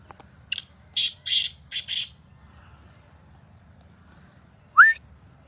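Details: Sindhi kala tetar, the black francolin, in fields giving a loud harsh call: a short rasping note, then four grating, buzzy notes run together within about a second, and later a single rising squeaky note over quiet background.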